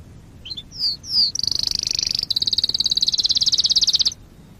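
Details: Canary; song; tutor song for teaching young canaries to sing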